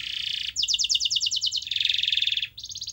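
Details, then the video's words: Canary song used to rouse a quiet canary: a buzzy harsh note followed by clearly pulsed rapid trills at different pitches, each lasting about a second, over faint low background hum. "Kenari Anda MALAS BUNYI, Coba Putar Video Ini !!!"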